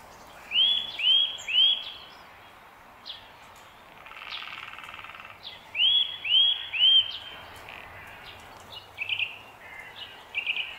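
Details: Eurasian nuthatch calling: two sets of three ringing, upslurred whistles in quick succession, spaced several seconds apart, followed by shorter sharp notes; other faint bird chirps and constant low background noise.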